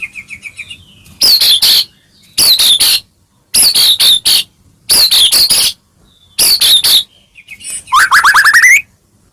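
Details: White-rumped shama singing to provoke other shamas into emotion: repeated groups of loud harsh chattering notes about every second, ending in a rising buzzy whistled trill.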